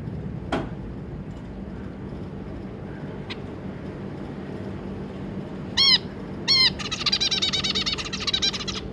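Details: Zebra finches, an adult pair with their three juvenile young, recorded 25 July 2022: a few sharp ticks, then two arched, nasal beeping calls followed by a dense burst of rapid, buzzy, stacked song notes.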